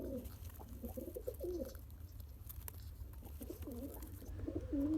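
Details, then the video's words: One-day-old pigeon chick being fed by its father through pumping; soft wavering, squeaky tonal notes come in bursts at the start and again near the end, over a steady low indoor hum. "Pigeon Feeding Original Sound"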